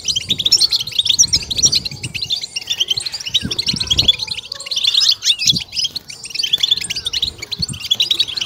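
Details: Stimulation-style goldfinch song, 'betbeta': fast, scratchy, high twitters and ringing notes in waves, briefly thinning before surging again, with occasional low knocks.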